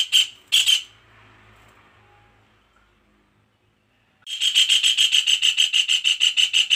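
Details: Pied kingfisher (Ceryle rudis), call.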